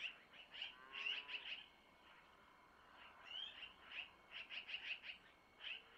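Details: Long-eared owl young at a Missoula nest being fed by their mother with food from the male: clustered shrill squeaky chirps, a quiet stretch, then further rapid bursts of high squeaks.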